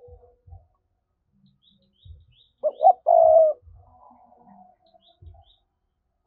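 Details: Spotted dove in the 'thúc' cooing style, used to provoke wild doves for trapping. One deep phrase of two short hoots swelling into a long purring note, framed by soft knocking and faint high clicks.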